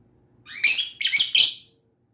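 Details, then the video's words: Lovebird singing and chirping: three linked, loud, buzzy high chirps over about a second, the first rising from a softer lead-in. "Lovebird SINGING and CHIRPING sounds"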